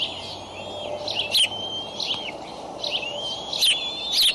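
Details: Eagle nest camera at Decorah, May 2012 morning, with three eaglets aged 55 to 59 days and a raccoon delivered by the father. Long thin whistled tones, slightly rising, mixed with a few sharp clicky bursts.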